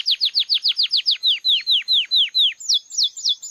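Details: Belgian canary, a red-factor mutation bird, singing: a rapid trill of about fifteen downslurred whistled notes, roughly four per second, then a shift to higher, faster rising-falling notes.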